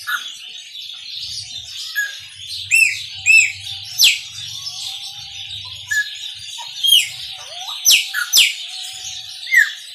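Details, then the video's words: Singing in the Maranhãozinho style, a chopi blackbird gives paired arching whistles, sharp rising notes and a few low slurs, spaced irregularly against a steady high-pitched chatter. "PÁSSARO PRETO MARANHÃOZINHO CANTA MUITO"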